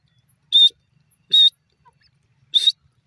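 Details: Grey francolin, locally dasi teetar, calling: three short, harsh, shrill notes about a second apart, each a rough high burst, with quiet background between.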